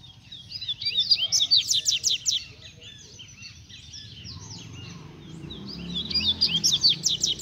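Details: Kept double-collared seedeater delivering two bursts of fast, rhythmic, buzzy high notes, each lasting over a second. A quieter stretch of scattered twitters between them sits over low rumbling background noise.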